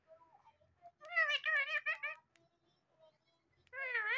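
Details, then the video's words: Pet talking parrot indoors: short speech-like phrases with stacked harmonics, a burst of four quick wavering syllables, then a pause and a final drawn-out voiced phrase. "My So Friendly Talking Parrot's Talking Clips Compilation"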